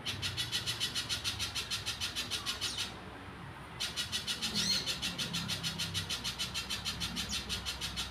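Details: Little spiderhunter singing strongly in the wild, a rapid, regular chain of high, rasping notes that stops for about a second and then restarts at the same quick pace, over a faint low rumble.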